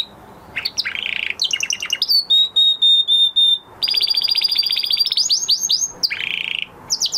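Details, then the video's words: Canary practising its song after moulting, with varied phrases: buzzy trills, a run of clear steady whistled notes, then long fast rattling trills and rising sweeps, loud and close. "Canary Trying To Unlock His Full Singing Potential Part 2 - Canary Singing Video"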